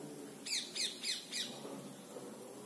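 Rose-ringed parakeet giving four harsh, screechy squawks in quick succession, about a quarter-second apart, shrill and high; faint low background hum.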